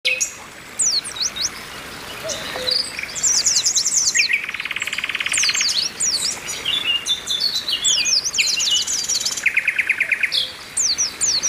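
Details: Many Oriental white-eyes calling together, a chorus used to stimulate birds into song, with females calling to males: dense high downslurred chirps overlapping, broken by long buzzy trills and rapid rattles, continuous throughout.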